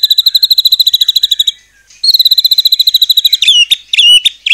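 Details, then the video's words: White-rumped shama song meant to provoke other shamas: very fast even rattles of repeated high notes, about ten per second, a short break, another rattle, then loud sweeping whistled notes. "murai batu gacor AMPUH buat PANCINGAN murai batu agar bunyi JADIKAN burung murai gacor EMOSI NYAUT"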